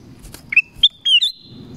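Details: A black-crested bulbul in forest sings one rapid whistled phrase of rising notes ending in a held tone, after two faint clicks and over a low background hum.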